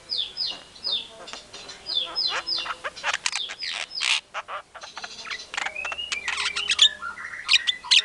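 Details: Vigorously singing white-rumped shama, played as a lure to make other shamas answer: a series of clear descending whistles repeated about twice a second, then a jumble of sharp chirps and rising whistled phrases.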